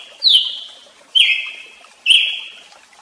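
Brazilian tanager giving three loud, clear whistled notes, each sharp at the start and fading away, spaced about a second apart.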